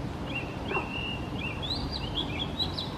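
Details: Oriental magpie-robin in Singapore belting out its own unique tune: a run of clear whistled notes, long level whistles followed by quicker rising and falling phrases, with constant low traffic-like rumble behind.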